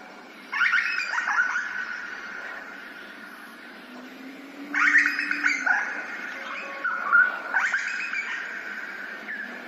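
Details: Grey butcherbird in Australia, recorded in ambisonic surround sound: three separate phrases of loud fluty notes with quick downward slurs, spaced about four seconds apart over a continuous faint drone.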